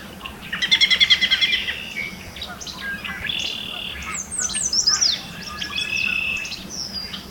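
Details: A Yellow Warbler in Alberta, Canada, in spring, hidden among fresh green leaves, sings a rapid, bright series of sweet notes, then a second phrase of higher, slurred whistles ending with an emphatic flourish.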